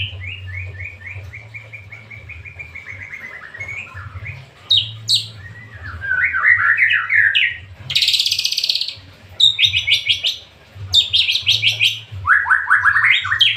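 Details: White-rumped shama in lively song: a long series of descending whistled notes, then varied slurred whistles, bursts of harsh high buzzy notes and quick chip sequences, with short pauses; low background hum throughout.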